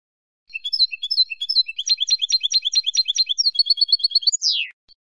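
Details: Goldfinch singing, used for tutoring novice birds: a quick, bright run of tinkling twitters in repeated note groups, picking up pace midway, finished by a drawn-out buzzy downward slur and a faint last chip; no other sounds.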